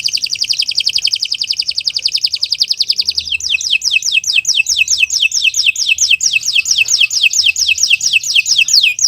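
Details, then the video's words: Canary in long continuous song, recorded for tutoring other birds: a fast, even high trill of clipped notes for three seconds, then a switch to a slower series of sharply falling whistled notes, about four per second. "Kicau Burung Kenari 178 II LUAR BIASA GACOR PANJANG"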